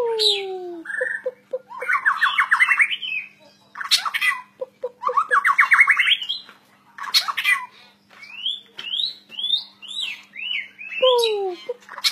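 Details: White-rumped shama in full varied song: falling whistles, clipped repeated notes, rapid rising buzzy trills and bright looping whistles, phrases returning in cycles, with a steady background hum.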